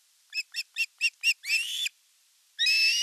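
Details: Osprey at a nest in the Satakunta region of western Finland in August, elder chick attacking the younger during fish delivery: five short high piping notes, then longer harsh rising screams.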